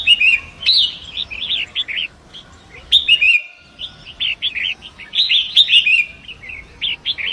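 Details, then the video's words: Forest Long-tailed Shrike singing near a rushing river, a training recording for songbirds: three bursts of rapid chattering and warbled notes, each opening with a sharp, harsh accent, separated by short gaps. "Masteran Pentet Hutan"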